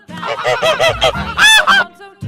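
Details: Goose honking: a run of six or seven short, brassy honks, the last ones louder and higher, then a brief pause.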